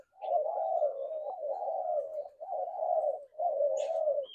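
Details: Spotted dove cooing in low, hollow, steady phrases, four drawn-out coos of about a second each separated by short breaks, with a faint higher chirp near the end.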